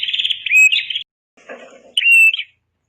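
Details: Red-headed prenjak master track for training birds: a rapid rattling trill that rises into a whistled phrase, a brief soft murmur, then a second loud whistled, buzzy phrase.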